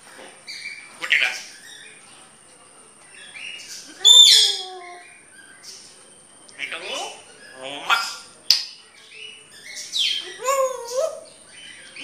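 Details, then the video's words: Grey parrot talking: scattered bursts of mimicked speech-like sounds mixed with whistles and squeaky calls, including a loud rising whistle near four seconds and a sweeping whistled phrase toward the end, with a steady high electronic tone throughout. "Grey parrot talking"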